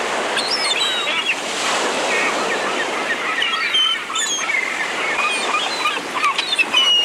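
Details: A flock of gulls on a rooftop gives overlapping shrill, wailing calls and short squeals against a steady rushing wash like surf or wind.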